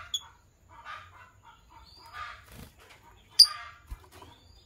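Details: A pair of green Fischer's lovebirds chirping in the morning: scratchy, buzzy chatter bursts broken by a few sharp, piercing high chirps, one loud squeak standing out near the end.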